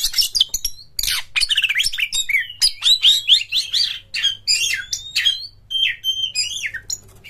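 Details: Long, loud song from an Oriental magpie-robin: quick sharp notes at first, then a string of bright slurred whistles, many falling, delivered in rapid succession with brief gaps.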